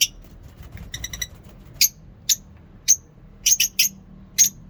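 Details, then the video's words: Morning lovebirds at a mini zoo making short, sharp, high chips spaced irregularly, some in quick pairs, with a faint rapid chatter early on. "Lovebirds singing in mini zoo"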